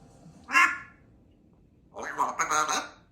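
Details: Pet African grey parrot, female, practising words such as I love you and apples: a short spoken-sounding squawk, a pause, then a longer raspy speech-like phrase.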